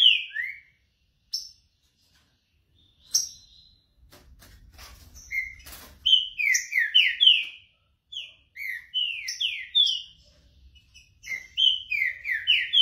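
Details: Green-winged saltator warming up its song: phrases of loud, clear, slurred whistles repeated between short silences, with a scrape of noise near the middle.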